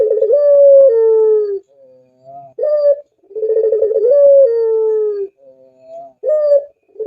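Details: Puter dove singing two repeated phrases, each a fast stuttering pulsed coo rising into a long held then falling note, followed by soft faint notes and a brief clear rising coo, about three seconds apart.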